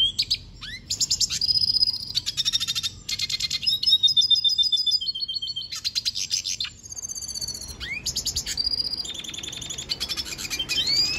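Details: Long bursts of rapid buzzy trills and ringing whistled notes from a Venezuelan goldfinch, phrased in blocks with brief pauses, pulsing quickly and very high-pitched.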